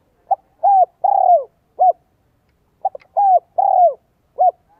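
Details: Spotted dove with a 'giọng son, 1 cốt lỡ' voice used to draw in wild doves: two complete phrases, each a quick pip, two long descending coos and a clipped final note, about every three seconds.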